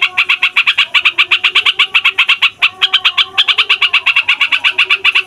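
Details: Yellow-vented bulbul, fighter type, in a long rolling song that provokes other songbirds: fast, bright, chattering notes in continuous runs, one short break near the middle, over a faint low hum.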